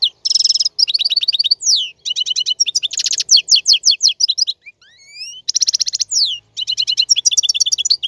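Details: Male European goldfinch song used for tutoring chicks: fast, continuous high twittering of rapid repeated buzzy notes and trills, broken by a brief pause with rising slurred whistles before the trilling resumes.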